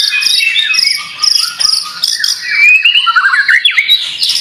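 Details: White-rumped shama, a fighter bird suited to singing contests, pouring out a fast, varied song of high trills, chirps and sliding whistled notes, with a bright rising whistle near the end and barely any pauses.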